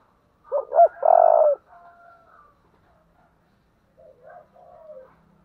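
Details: Spotted dove calling in the thổ đồng voice style with thúc and gáy gọi. Two short, bouncing hoots lead into a loud, long, level coo, followed by fainter, echoing coo phrases in the background.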